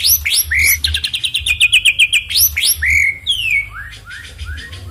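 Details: Songbird delivering a loud song meant to provoke rival birds: varied whistled notes and sweeping slurs, then a fast rapid-fire run of sharp repeated chips, and falling whistles at the end, over a low steady hum.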